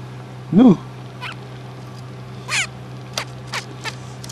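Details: A male pet zebra finch, after his owner stops grooming him with an ear bud, gives short, nasal, toy-trumpet beeps, spaced irregularly, seemingly asking for more petting, after a person speaks softly.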